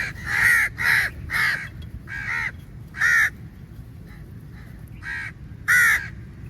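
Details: Crows at feeding time, part of a big flock going for food, give loud harsh caws in short bursts, roughly one every half second to second, with gaps of quieter background.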